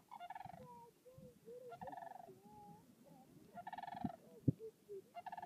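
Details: Sandhill cranes crooning at Swan Lake in Yellowstone, spring, April 2016: four short, rattling, trumpet-like bursts. Softer sliding, whistled calls from other birds fill the gaps, and low thumps and rumbles sit underneath.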